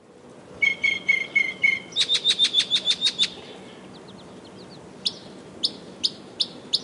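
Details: Northern mockingbird singing: a phrase of repeated sharp chips, then a fast series of high clicking notes, a few soft notes, and finally spaced, sharp high chips, over a steady background hiss.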